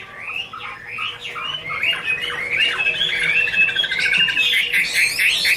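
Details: Chinese hwamei singing varied, rising and falling whistles that grow into a dense, loud warbling run with quick trills toward the end.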